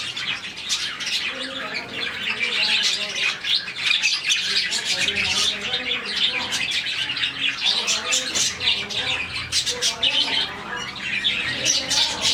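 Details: Colony of about 40 caged budgerigars chirping in the morning, a sound said to mean they are happy; dense, overlapping high chatter of short shrill chirps and squawks runs continuously with no pauses.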